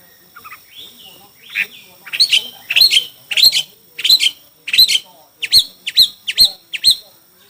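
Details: Chinese hwamei singing in a song contest: loud, clear whistled notes rising and falling, given in a run of separate phrases about once a second that grow stronger and quicker toward the end.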